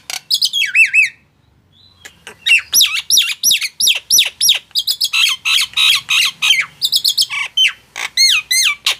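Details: Loud Nias hill myna song: a burst of looping whistles, a second-long pause, then a dense, quickening stream of harsh squawks and bright swooping whistles to the end, roughly three notes a second.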